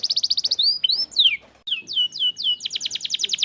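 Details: Canary singing to spur lazy birds: quick pulsed notes, then slow swooping whistles dropping in pitch, ending in a fast bright repeated trill.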